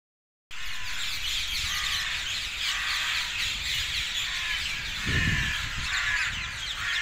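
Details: Dozens of brightly coloured parakeets flocking to the same trees south of Hackney Marshes on 18 February 2021. A dense, unbroken chorus of shrill, overlapping screeches fills the recording over a low background rumble, with a brief deeper thump near the end.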